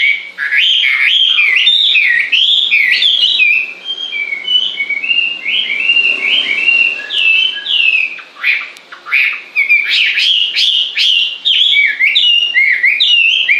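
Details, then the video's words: Long stretch of lively bird song: rapid chains of high whistled and chirped notes, a short quieter gap near the middle, then another energetic burst of varied, rippling phrases. "Con chim hót suốt nghe mát ruột"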